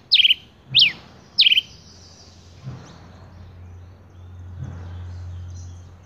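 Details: Male Rufous-collared sparrow, called tico-tico rei, gives three sharp high chirps in quick succession, each a steep down-slurred note with a short buzzy tail, followed by quiet with low background hum.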